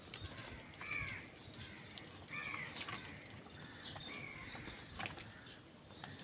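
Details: Crow fighting for food: three loud, nasal, arching caws roughly every one and a half seconds, with a softer fourth call and steady background hiss.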